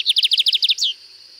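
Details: Lined seedeater singing a distinctive song style (canto diferenciado) at Sítio Paraitinga, Cunha: a rapid series of about nine sharp, high chipping notes, ending in one drawn-out, downward-slurred note, over a steady high insect hiss.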